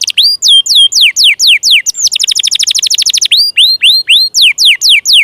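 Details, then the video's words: Canary song meant to coax sluggish or young canaries into singing: slurred whistles sweeping downward, a tight fast trill in the middle, then more rising and falling looped notes. "SUARA PANCINGAN KENARI MACET,, MALAS BUNYI DAN KENARI PAUD"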